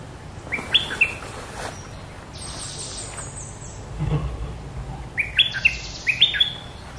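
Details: Red-whiskered bulbul singing in the 'sai chiao' style with a quick finish: a brisk phrase of clear, looping whistled notes, then a thin high descending whistle, and later a longer run of four or five rising-falling whistles.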